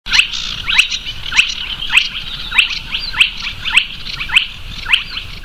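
Spotted Crake giving sharp, upward-whipping 'hwit' notes, repeated rapidly at under a second apart, over a steady high hiss.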